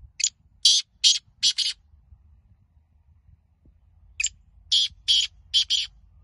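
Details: Black francolin (kala teetar), likely in a calling contest, gives two bursts of five harsh, grating notes in quick succession, about two seconds apart, over a faint low murmur.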